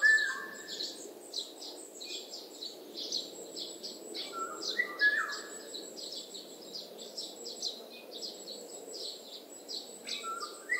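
Short, fluty mid-pitched whistles and a slurred downward call stand out over dense high twittering from other small birds and a steady rushing background.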